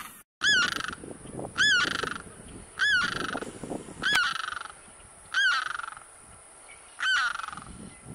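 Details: Limpkin near a wetland giving six loud, far-carrying, wailing screeches with a rising-then-falling bend, spaced about every one to one and a half seconds, over faint background noise.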